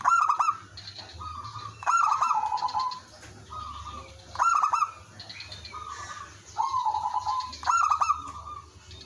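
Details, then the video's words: Zebra doves calling back and forth around a singing lure bird: loud phrases of rapid staccato clicks flowing into rolling mid-pitched coos, alternating with softer distant replies, about every two seconds. "suara merbok kampung/perkutut lokal gacor manggung jadi pikat pancingan semua jadi nyaut"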